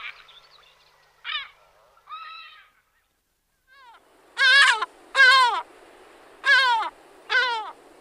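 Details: Lesser black-backed gull (Larus fuscus) gives deep, harsh, nasal calls: a few softer notes first, then four loud, drawn-out cries about a second apart.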